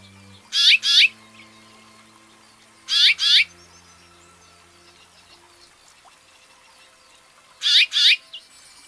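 House finch giving three bright, paired chirps a few seconds apart, each a quick double note, over a faint low hum.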